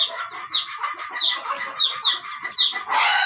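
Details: Aceh junglefowl, apparently a decoy bird with companions, give dense, overlapping clucks and chatter with repeated sharp downward squeals, nearly two a second, over a busy layer of other fowl voices.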